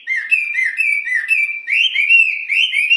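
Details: ['Hwamei singing loudly and continuously: a string of rich, wavering whistles, each note slurring down then up, growing slightly higher and stronger in the second half.']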